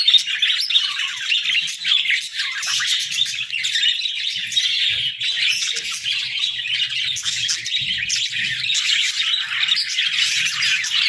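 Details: Several pet budgerigars in the morning, chattering in a steady, dense stream of high chirps and warbles, with quick tweets overlapping throughout and faint low thumps beneath.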